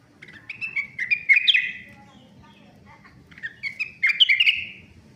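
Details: Young Sunda laughingthrush (rengganis) starting to sing steadily: rapid chattering phrases of slurred whistles gliding downward, two bursts separated by a short gap, over faint low background noise.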